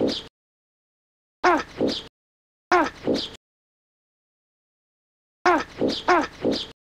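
Great white pelican giving deep, hoarse, grunting double notes, like low moans, in four short bursts separated by pauses.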